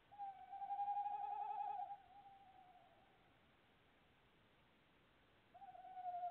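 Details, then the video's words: Two long hoots from a tawny owl at its nest box, 25 February 2018. The first is sustained for nearly two seconds, fades into a trailing tail, then silence, and a second hoot starts near the end. "Tawny Owl nest box calling"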